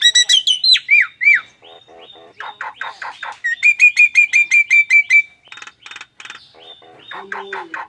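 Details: A Nias hill myna makes odd sounds like an anti-theft alarm. It opens with loud swooping whistles, then gives buzzy grinding bursts and a long run of rapid repeated whistled notes, ending in harsh chatter.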